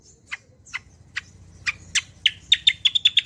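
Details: Kecial kombo song used as a lure and model for cage birds: evenly spaced high chips that speed up into a quick run of sharp, ringing notes.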